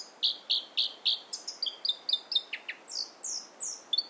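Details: A robin singing close up at Mirror Lakes: a quick run of clear, high notes, four even chirps, then a faster mix of short whistles and downslurred notes, about four per second.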